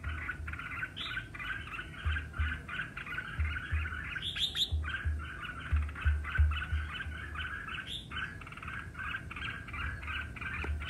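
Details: Red-whiskered bulbul singing competitively: a long, fast series of short rich warbles, broken twice by a higher, sharper whistled flourish, with intermittent low thumping and hum beneath.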